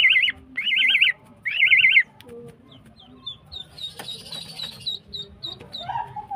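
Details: A female greater green leafbird singing in the morning opens with three loud, rapidly warbling trills, each about half a second long. Quieter, scattered high pips follow, with a soft, thin whistled note at the end.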